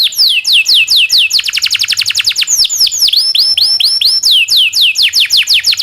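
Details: Local canary delivering a long song used as a tutor for magpie robins, shamas and leafbirds: lively run of descending whistles speeding into a rapid series, then rising-and-falling swept notes repeated steadily.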